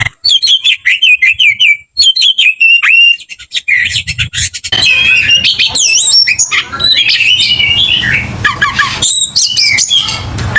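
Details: Oriental magpie-robin in aggressive, fighting song: whistled notes and rapid chattering phrases rising and falling, with harsh buzzy bursts and a busy, dense middle section.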